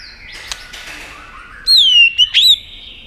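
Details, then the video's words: Short shama phrase: a smooth, falling whistle followed by two quick, rising whistled notes, after a faint noisy lead-in. The tail-flicking bird is used to stimulate contest singing. "Chòe lửa tạch đập đuôi kích thích lửa lên lửa rất nhanh kích chim hót đấu hiệu quả"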